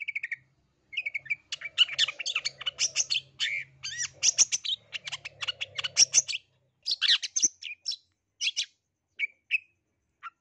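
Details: Long-tailed shrike in lively full song, a busy run of harsh chattering notes, sharp chips and buzzy bursts mixed with brief whistled phrases, pausing often over ten seconds; faint low hum underneath.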